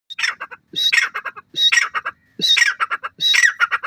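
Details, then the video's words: Francolin (jungli teetar) calling in the wild: loud, harsh multi-note phrases, each a squawking burst followed by quick clipped notes, repeated about every 0.8 seconds. "jungli teetar awaz"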